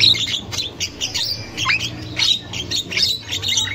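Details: Javan myna chattering in the wild, used as a lure to stimulate young birds. Dense run of harsh, noisy squawks with a brief upward whistle midway, over a low background hum.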